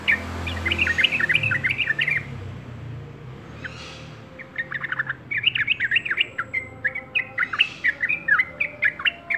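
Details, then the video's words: Yellow-vented bulbul singing tirelessly: bursts of bubbly, chirping warbled notes, a short pause midway, then a faster, rapidly repeated run of bright chirps, with a faint low hum at the start. "TRUCUK YG RAJIN BERKICAU"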